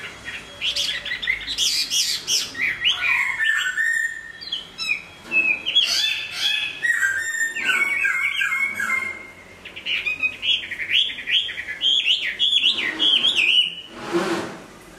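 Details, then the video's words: Hwamei singing while moulting: a loud, rich, varied run of whistled notes, rapid slurred phrases and harsher squawky notes, with a fast trill near the end and a brief noisy burst at the close. "Hoạ mi hót khi đang thay lông"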